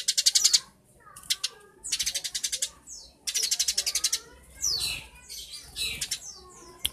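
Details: Eurasian tree sparrow delivering bursts of shrill, rattling pulsed trills mixed with sweeping downward chirps, several trill phrases in quick succession, clear and close.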